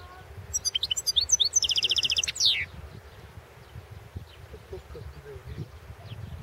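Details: European goldfinch recorded for the 2016 world championship in goldfinch song: bright twittering notes, then a rapid trill of about a dozen repeated buzzy notes ending in a falling slur, followed by quieter scattered chirps.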